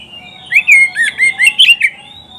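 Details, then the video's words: Oriental magpie-robin song, a tutor recording for training pet birds: loud, clear whistled phrases, rapid twisting slurred notes rising and falling, about seven bright bursts in under two seconds over a quiet background. "SUARA KICAUAN BURUNG KACER TERBAIK"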